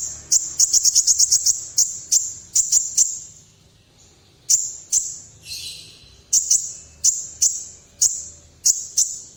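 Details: Olive-backed sunbird, locally called kolibri ninja, performing in full voice in the style called nekan: very high, sharp chipping notes in fast bursts, then spaced single chips with a brief buzzy rasp midway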